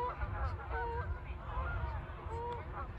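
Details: Canada geese taking off, softer drawn-out honks and rising nasal notes over a heavy low rumble.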